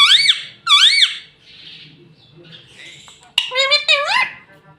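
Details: Pet ringneck parrot, the mitthu tota, saying mummy indoors in a small room: harsh two-note squawky calls repeated, then a softer pause and a run of rising, warbled syllables.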